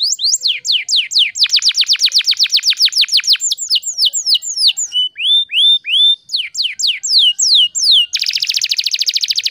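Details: Canary singing as a lure for canaries that have stopped singing: rapid rolling trills of falling notes, rising whistled slurs, then a dense high buzzy trill at the end.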